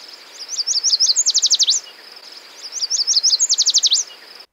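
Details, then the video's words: Yellow Warbler of the central and eastern United States singing two quick, high, sweet phrases, a run of bright chips speeding into fast slurred notes with a pause between; remembered as 'sweet sweet sweet, I'm so sweet'. "the yellow warbler song sounds like they're saying sweet sweet sweet I'm so sweet"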